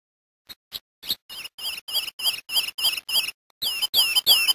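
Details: A Lemon-chested greenlet (Hylophilus thoracicus) in Brazil sings a quick run of about a dozen high, clear notes, ending in several louder, downslurred whistles.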